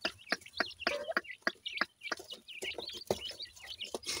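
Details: Feeding grey francolin chicks (dakhni teetar) give bursts of thin, high, bending peeps and twittering notes, uneven in timing, with scattered sharp clicks and a brief lower buzzy note early on.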